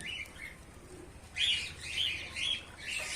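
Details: A white Bengalese (society) finch in a colony gives a few faint thin notes, then harsh, buzzy chirps repeated about twice a second.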